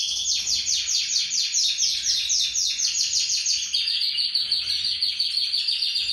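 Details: Many young domestic canaries, possibly Belgian canaries, just starting to sing together in continuous, high, rolling trills and bright warbles.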